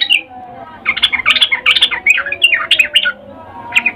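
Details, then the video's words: Female sooty-headed bulbul calling to the male, a call used to lure males into singing: rapid bursts of chattering, bubbly notes with warbled upward and downward slurs, clustered in a busy run after a brief opening note. "Trucuk BETINA memanggil Jantan Suara Birahi Ngecuplik"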